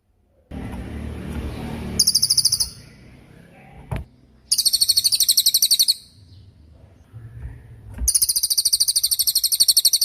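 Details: Lesser forktail, used as a master recording for all kinds of songbirds: three long strings of rapid, shrill, very high notes, with a hissing low noise and a sharp knock between them.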